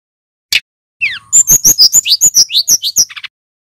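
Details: Loud, clear song of a male brown-chested jungle flycatcher, used as a training lure for other songbirds. After a lone chip and a falling whistle comes a rapid, even series of about a dozen high, bright slurred notes.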